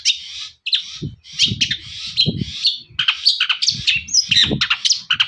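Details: Long-tailed shrike song meant to stir other birds into singing, a dense jumble of harsh chatter, squawky notes and high whistles, with frequent low bumping sounds underneath.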